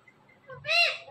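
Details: Parrot speaking a single word: a faint short note, then a loud, buzzy, harmonic-laden syllable with a gently arched pitch, over a low background hum.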